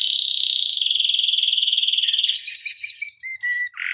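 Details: Canary singing a rolling tutor song: a long even rapid trill for over two seconds, followed by sustained whistles and short chips, then a brief lower buzzy phrase.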